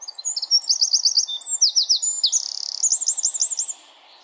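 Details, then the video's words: A tiny wren in forest pours out an energetic, piercing song of rapid repeated notes, a quick chattering rattle and a final rolling trill, about three and a half seconds long, ending sharply. "1 Hour Of A Bird (Wren) Chirping In The Forest"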